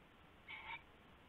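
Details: Owl calling at night on February 19, 2016, in the early morning hours as rabbit prey is passed between owls; one short harmonic call about a third of a second long over a steady low background hum.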